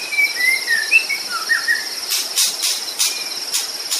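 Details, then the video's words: White-rumped shama from Sumatra singing in natural surroundings: a string of clear whistled notes, some sliding and some falling, over the first two seconds, with a steady high insect drone and loud rhythmic insect pulses in the second half. "murai batu sumatra. _suara asli alam gacor"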